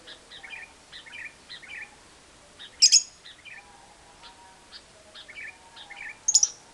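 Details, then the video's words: Lovebird ngekek chatter played as a lure to start silent lovebirds singing: short bursts of high twittering notes separated by brief pauses, with two piercing shrill squeaks and a faint whistle underneath. "Pancingan Suara Lovebird Ngekek Panjang, Burung LB Gak Bunyi Jadi Gacor Ngekek Panjang"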